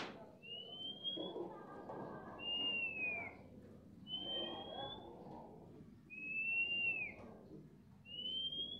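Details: Kept starling in vigorous song: faint, clear whistled slurs, some rising and some falling, roughly every two seconds over steady low background noise.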